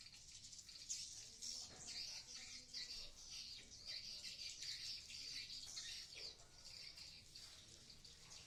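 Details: Colony of swiftlets in a converted nesting house in Blokagung, Banyuwangi, East Java: continuous shrill twittering and squeaky chirps from many birds at once, irregular and busy, with occasional faint wing flutters and a soft low background rumble.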